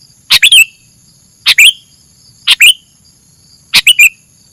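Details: Sooty-headed bulbul heard in masteran material: clusters of two or three quick chirps with falling endings, repeated about once per second, loud and somewhat distorted, with a steady faint high tone behind.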